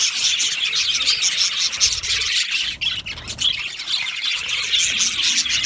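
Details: Colony of Australian budgerigars in an aviary on 15 July 2025, a dense continuous chatter of high chirps, squawks and warbles from many birds at once, with brief dips in the noise.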